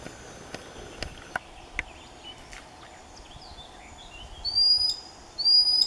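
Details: Common sandpiper on the Neman River in June 2015, guarding a shore shallow where newly hatched chicks hide, gives two piercing, thin, high whistles near the end after quiet riverside ambience with faint clicks.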